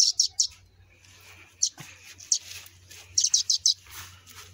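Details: Nestling sparrows fallen from the nest utter rapid high chirps, a run of three, scattered singles, then a fast burst of five, over a low steady hum.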